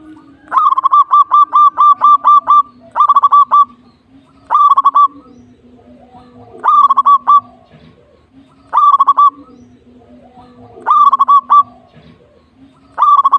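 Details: Local zebra dove repeating phrases of quick, stuttered coos roughly every two seconds, each phrase a short run of even notes, over a faint steady low tone.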